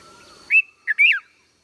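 A young red-vented bulbul gives a few short, bright chirping notes around two to three kilohertz pitch, a quick rising-falling pair, over a faint steady hum.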